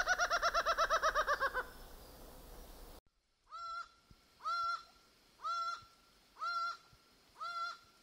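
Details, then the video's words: Laughing falcon near Guayaquil, Ecuador, a species that often calls at night or dusk: a fast laughing run of about a dozen hoarse, nasal notes, then five drawn-out two-part 'wah-co' calls, roughly one per second. "Halcón Reidor (Herpetotheres cachinnans) (vocalización)"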